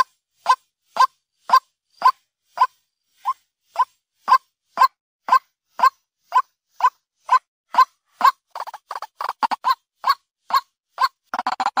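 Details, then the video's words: Lure recording of a white-breasted waterhen by day: evenly spaced short notes about twice a second, which speed up near the end into a denser, harsher run of croaks. "Suara Ruak ruak pikat Siang hari | waterhen sound"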